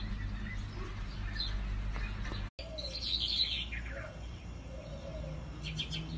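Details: Sandgrouse calling: short chirping notes around the mid-high range with a few lower purring notes near the end, over steady low rumbling background noise.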